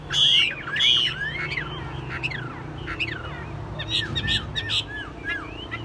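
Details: Caged Chinese hwamei, said to be mostly tame, opens with two harsh buzzy bursts, then delivers quick varied whistled slurs and clicks, with low background hum throughout.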